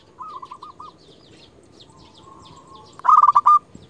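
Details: A local zebra dove used to call rivals: soft repeated coos from a more distant bird, then one loud close burst of quick stuttering notes near the end.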